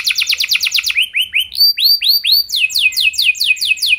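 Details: Canary singing, a lure recording for other canaries: a fast buzzy trill, then a string of curved upslurred whistles, then rapid repeated downward-swept notes.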